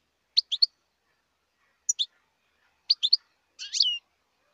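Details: High, crisp triple and double twitters from a wild European goldfinch, then a longer buzzy note that slides downward at the end, with the surroundings otherwise quiet.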